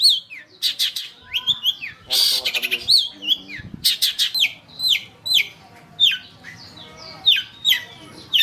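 A long-tailed shrike sings a fast, varied run of sharp chirps, whistles and harsh buzzy bursts in quick succession, with brief pauses between phrases.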